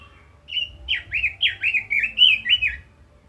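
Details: Caged red-billed leiothrix singing a quick, rolling phrase of about seven looping, down-slurred whistles in close succession.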